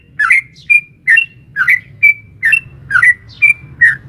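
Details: Sooty-headed bulbul, a female calling a male, sung in the long rapid 'ropel panjang' style and used to provoke caged bulbuls into answering. Bright chirped notes, about two per second, alternate slurred lower phrases with clear higher whistles over a faint low hum.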